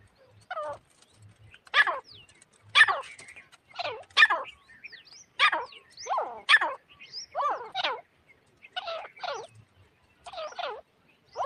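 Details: Grey francolin calling, recorded as a hunting lure: a long run of sharp, ringing notes, often in pairs, repeated roughly every second, fairly loud, with a faint low hum beneath.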